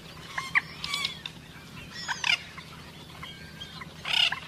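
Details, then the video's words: Common moorhen calls, presented as a recording for hunting: several short, harsh, harmonic bursts with clucking and croaking notes. Louder outbursts come near the start, the middle and the end, over a steady low hum. "صوت دجاجة الماء ..صوت عبد المرع .. common moorhen call for hunt"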